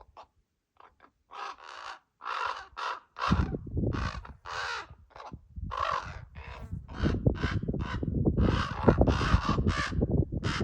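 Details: Impatient common raven fledglings begging near their parents for food, a rapid irregular series of harsh, grating squawks, about two per second, growing louder and more continuous, over low rumbling background noise.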